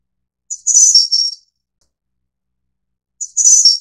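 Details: One complete thin, high-pitched, twinkling phrase from a Snowy-browed Flycatcher of the endemic Taiwan race innexa, followed by quiet and the opening of the next phrase about three seconds later.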